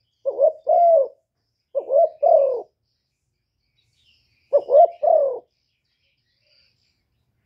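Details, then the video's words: Spotted dove used as a decoy in Cà Mau, Vietnam, to lure wild doves: two mellow two-note coo phrases close together, a silent gap of about two seconds, then a third phrase. "CU GÁY MỒI ĐẤT, CU ĐẤT GÁY, CU CƯỜM GÙ KÍCH BỔI, TIẾNG CHIM CU MỒI"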